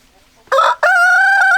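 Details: Chicken crow in a short burst: a brief loud opening note, a split-second pause, then a strong, steady, sustained crow note that carries on to the end.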